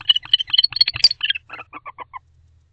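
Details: Barn owls near the camera in their nest box at 11:20 pm, exchanging sweet, varied calls: a loud quick string of sharp high chirps and squeaks that slows into descending, softer clucking notes and stops after about two seconds.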